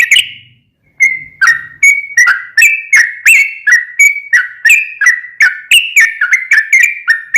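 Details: Sooty-headed bulbul singing actively, used to prompt a caged bird to sing back: after one opening note and a pause, a steady string of bright, bubbly whistled notes, each sliding down, about three a second.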